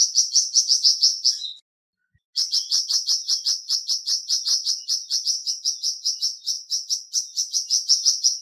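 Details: Flamboyan bird chattering in fast, high chirps, close to three per second. A brief silence cuts in, then a long unbroken stream of the same sharp notes continues to the end.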